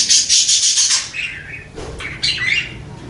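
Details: Master budgerigar singing a long rolling song: loud, dense, scratchy chatter, high and continuous, shifting into lower warbled phrases and raspy bursts with hardly a break.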